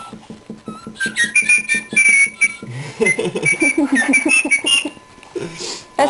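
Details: A male pet cockatiel sings a run of bright whistled notes, sliding and warbling between short phrases, to his companion; a quick rhythmic tapping beat and soft talking in the background.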